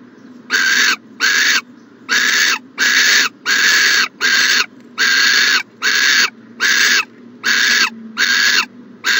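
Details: Nest-box owl on the morning of January 14, 2020 gives a rapid run of about twelve rough, breathy hisses, each short and evenly spaced, almost continuous for nine seconds.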